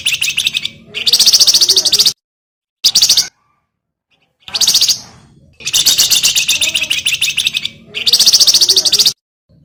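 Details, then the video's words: Javan grey-throated white-eye in full song, kept as a master singer for training cage birds: loud, harsh, buzzy rattling bursts of one to three seconds, separated by short silences. "BURUNG WERGAN JAWA GACOR COCO JADI PANCINGAN MAUPUN MASTERAN"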